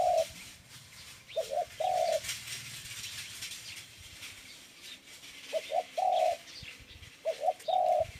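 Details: A dove gives soft phrases of two quick coos and one longer note, repeated three times with pauses, against a steady hiss.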